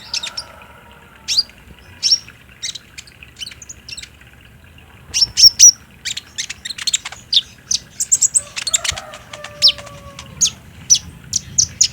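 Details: Olive-backed sunbird, the green and spotted konin, singing a lure for captive birds played in daytime: scattered high chips that build into dense, rapid twittering, with a faint lower whistle partway through.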